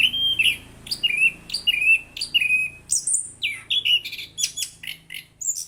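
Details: Orange-headed thrush in full melodious song, first repeating a clear, slightly falling whistled phrase about every half second, then switching to varied high chirps and trills.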